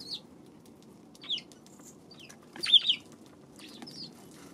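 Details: Short, bright chirps from Eurasian tree sparrows on 2 March, a few isolated notes then a louder double chirp near the end, against a quiet background.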